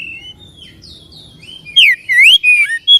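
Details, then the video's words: White-rumped shama song played to excite a caged bird and make it fan its tail; faint thin whistles first, then a few loud swooping whistled notes rising and falling. "PANCINGAN SUARA KACER AGAR CEPAT EMOSI DAN BUKA EKOR"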